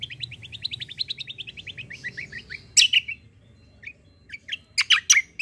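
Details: White-eye in 'kombo' style, a fighter bird, song for tutoring: a rapid trill of short descending high notes, then loud harsh sharp chirps with scattered softer notes between.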